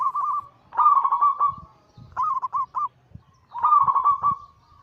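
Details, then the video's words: Cooing song of kept zebra doves, local and Bangkok-cross perkutut: short bursts of throaty, bubbling trills broken by brief gaps, with a few separate clipped notes between phrases and soft low thumps beneath. "burung perkutut Anggungan"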